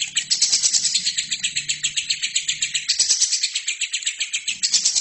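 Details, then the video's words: Training recording of a lovebird singing continuously: fast, buzzy high chatter in regular pulses, with a short surge in intensity after the third second and faint low background hum. "LOVERBIRD GACOR!!! INILAH HASIL TERAPI MASTERAN TERBAIK 2017"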